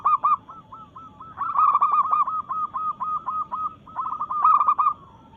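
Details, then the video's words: Local zebra dove singing in breeding mood to challenge rivals: a long, nearly continuous run of rolling, staccato coos that swell louder in the middle and again near the end, with other doves faintly cooing. "Perkutut Lokal Gacor SUARA menantang lawan"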